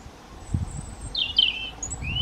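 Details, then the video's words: European robin in the breeding season singing territorial song in response to other robins in the surrounding area: brief, high, thin warbled phrases with a rising note at the end, over low rumbling background noise. "Singing Robin"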